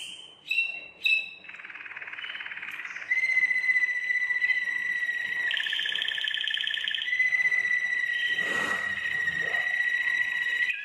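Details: Belgian Waterslager canary, a breed kept for its singing, performing a long run: two quick rising calls, a buzzy roll, then a sustained steady whistle broken by a louder trill.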